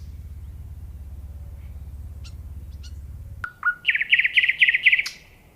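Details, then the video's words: A common nightingale sings a brief, clear whistle, then a fast run of bright, repeated chirping notes, after a low hum in the opening seconds. "Nightingale Singing Sound"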